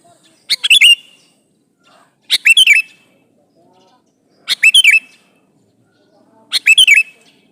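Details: Male sooty-headed bulbul calls to a female with a bright, bubbly phrase of quick chirped notes ending in a slurred, wavering whistle, given four times about every two seconds in quiet surroundings.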